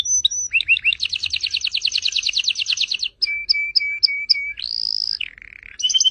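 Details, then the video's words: Canary song, played to train pet birds: looping notes, a long rapid rattling trill, sharp notes over a steady lower tone, a pure sustained whistle, a buzzy low trill and a closing quick trill. "Kenari gacor untuk masteran"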